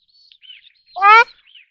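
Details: A single loud, nasal, rich honk from a ruddy shelduck. Faint, thin, whistled chirps sound just before and after it.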